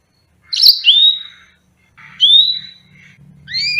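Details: Yellow-fronted canary (Serinus mozambicus) singing: clear whistled notes sliding down to a steady high tone near 4k, in short phrases separated by pauses, ending with two rising notes; a faint low hum underneath.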